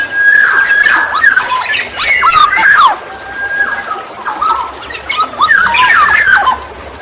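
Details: Black-naped oriole lure song: a long, even whistle runs beneath loud bursts of nasal, slurred, harmonic-rich notes, with a pause midway before another busy phrase.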